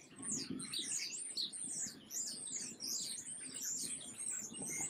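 Black-capped chickadees give a steady stream of thin, high, squeaky chips and twitters, overlapping with soft fluttering and pattering sounds below.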